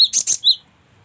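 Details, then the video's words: Cinereous tit gives a brief high whistle, two harsh buzzy bursts, then another thin whistle, all within half a second. "suara gelatik batu"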